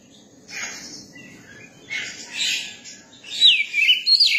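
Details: A young Oriental magpie-robin gives high scratchy, hissing phrases separated by short pauses, then finishes with a louder run of sweet whistled notes sliding downward.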